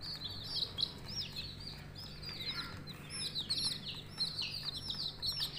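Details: Several coloured budgerigar chicks keep up busy, overlapping high chirps, each a quick falling squeak, packed closely across the whole stretch over a faint low hum.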